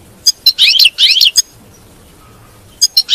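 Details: European goldfinch batbata song for encouraging a caged goldfinch to sing: sharp clicks around two short bursts of jangling high twittering, a long quiet gap, then more clipped notes.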